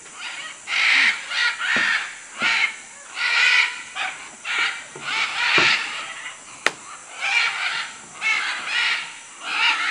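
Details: Macaws in Manu, Peru: loud, harsh screeching calls in rhythmic bursts about once a second, with one sharp click midway and a constant high insect drone.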